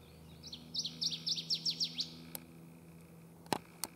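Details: A Northern Waterthrush sings over a swamp in the early morning before sunrise: a loud, ringing run of about eight sharp, down-slurred notes that speeds up slightly before stopping abruptly, over a faint low hum and one sharp click.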